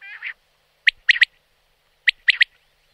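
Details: Common quail in the wild opens with a low, nasal, rippling note, then two bright three-note phrases about a second apart. The setting is clean and quiet.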